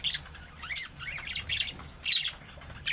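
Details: Budgerigar uttering chick-style calls that draw answers from other budgies. Loud, rasping squawks are followed by quick warbled notes that bend down and up, then further harsh chirps.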